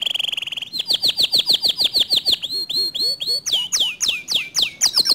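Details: Canary song said to provoke rival canaries into singing: a fast buzzy trill, then a long series of loud downward-swooping whistled notes about four per second, ending in sharper swoops.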